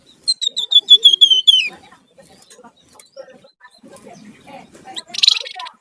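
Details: Sunda warbler singing in a lively gacor style described as ngebren and nyiul, used as a lure and master song. It gives a fast run of clear, high, slightly falling whistled notes, then scattered soft twitters and a short loud buzzy burst.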